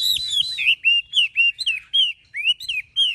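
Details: High, clear, bouncing whistles from a caged Chinese hwamei with a fanned tail, each short slurred note repeated in quick spaced bursts, about two per second.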